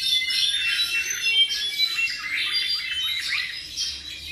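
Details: Young tropical mockingbird, around seven months, sings a jumble of rapid high chirps and slurred notes over a background of steady, thin, high-pitched tones.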